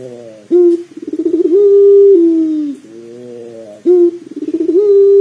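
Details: Pelung dove cooing as a lure to prompt other doves to start calling: a sharp opening note, then a rolling, pulsed stretch that swells into a long steady coo and sags downward at the end, the sequence repeated twice.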